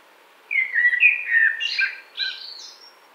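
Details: Common blackbird warbling in a spring wood in 2017: a flowing mellow whistled phrase sliding into higher squeaky twittered notes and a thin high trailing note.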